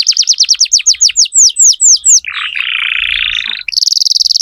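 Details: Canary song from a strongly singing tutor bird used to train young canaries: a train of quick downward-sweeping whistles, then a lower buzzy rolling trill, then a rapid high trill.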